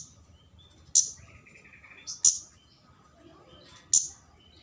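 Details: Flowerpecker lure recording meant to call in a rival bird: three sharp, very high ticks about every 1.5 seconds, with a faint buzzy note between them over a low background hum.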